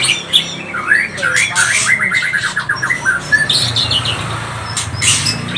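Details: ['Murai batu pastol (white-rumped shama) song for provoking rival birds: an even series of about a dozen quick repeated whistled notes, flanked by scratchy buzzy bursts over a low background hum.']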